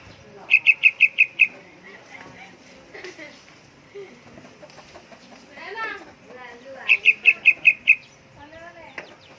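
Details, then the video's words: Young yellow-vented bulbul singing actively: bursts of five or six sharp, evenly spaced high pips, then a jumble of bubbly, warbling chatter and quick rising and falling notes, with a soft steady hum beneath. "Burung trucukan anakan gacor"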